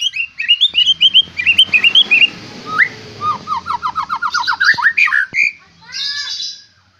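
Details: Fierce-looking White-rumped shama of fighter type, rich song fill: rapid varied whistles and chatters, including a quick series of down-slurred notes, over a low background hum.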